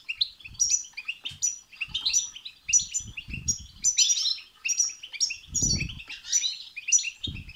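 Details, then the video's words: Goldfinch twittering of the batbata and satsata kind, played to spur a goldfinch into song; crisp repeated chirp phrases roughly every half second over steady chatter, with scattered soft low bumps. "بتبتة وستستة تخرج الحسون عن السيطره..... هيجان خرااافي تسببه هذه البتبتة نار على نار سيغرد حسونك"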